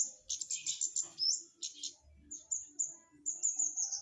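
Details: Flowerpecker singing energetically, a very high, thin run of rapid twittering chirps, then sharp high notes and drawn-out high whistles, with soft low murmuring underneath.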